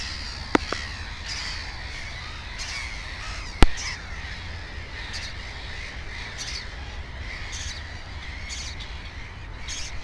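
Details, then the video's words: Black-headed gulls at a nest with two chicks on 15 May 2016 give repeated rasping cries over a low rumble, interrupted by a loud knock and a couple of clicks. "Озерная чайка"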